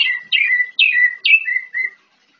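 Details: Morning song of an orange-headed thrush, a series of descending whistled notes, each phrase dropping sharply from high to a steady lower tone, repeated about every half second, clean and without other sounds.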